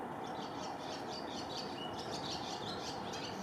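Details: High, twittering swallow calls, short chirps coming in loose bursts across the whole stretch, set against steady, loud background noise.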